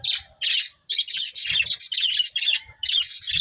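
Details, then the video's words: Harsh, buzzy budgie chatter in loud clustered bursts, one after another, with short quiet breaks between groups of scratchy high notes. "Cute Budgies Chirping Sounds"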